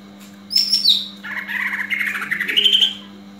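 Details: Greater green leafbird giving a fighting call, used to train other leafbirds' fighting spirit; a bright high whistle followed by a chattering, buzzy warble, with a steady low electrical hum beneath.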